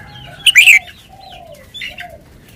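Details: A caged red-whiskered bulbul gives a loud, bright, emphatic note early on, then a softer slurred whistle and a quieter echoing phrase. Faint background warbling follows.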